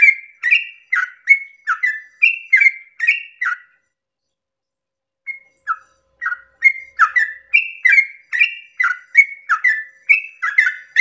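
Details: Yellow-vented bulbul singing a long 'ropel' at dawn to provoke rival bulbuls to sing; a run of chattering whistled notes breaks off for about two seconds, then resumes more densely and keeps going to the end.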